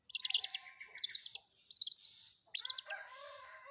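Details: Long-tailed shrike with a fill-in song combination: clusters of rapid, buzzy high notes repeated roughly every three-quarters of a second over a background of lower harmonic tones.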